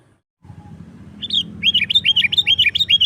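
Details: Sooty-headed bulbul singing to draw in wild birds: a steady, quickening chain of bright, curling chirps, about eight in two seconds, over a continuous low rumbling background.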